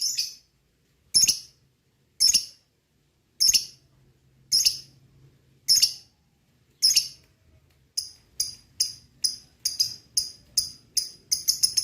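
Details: Lovebird calling meant to stir other lovebirds into song: shrill, rasping chirps spaced roughly a second apart, then tightening into a rapid stuttering series of short high squawks.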